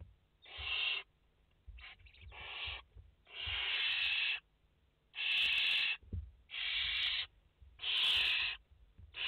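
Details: Live barn owl nest with five chicks, 29 August 2021: a steady run of harsh, snoring hiss calls, repeated roughly every second and uneven in length, with a faint stutter and light knocks.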